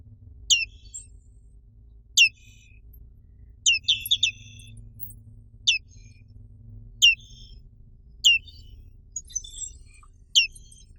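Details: Black-capped white-eye of Indonesia uttering about nine sharp, descending chirps at irregular intervals, some followed by faint twittering notes.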